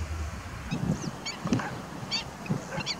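Ruddy Shelduck giving low, nasal, goose-like honks at an uneven pace, with thin high chirps from small birds in the background.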